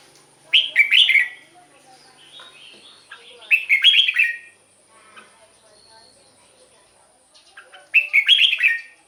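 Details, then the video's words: Red-whiskered bulbul singing, a recording meant to excite caged birds or serve as decoy: three bubbly whistled phrases of several warbling notes each, roughly every three and a half seconds, with soft chatter between. "เสียงนกกรงหัวจุก สำหรับต่อ หรือ เปิดให้นกคึก"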